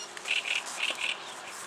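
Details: Advertising song of a reed warbler, heard as a brief burst of four short chirps in two pairs, bright and slightly rasping, against a quiet background.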